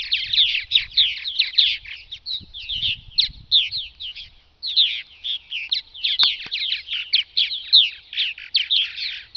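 Purple Martins chatter nonstop in a dense run of rich, gurgling chirps and creaky notes, several birds overlapping, with faint low rumbling underneath.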